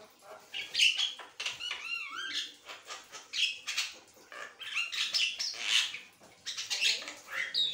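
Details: Asian pied starling chattering without a break: dense, loud run of grating squawks, clicks and slurred whistles, nearly continuous from start to end with only tiny pauses.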